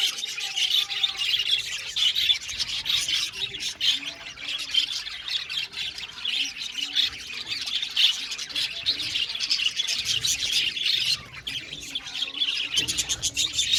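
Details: Budgerigars in an aviary colony give constant overlapping chirps and squawks, a dense high twittering chatter with sharp scratchy notes throughout, no pauses, from many birds calling together.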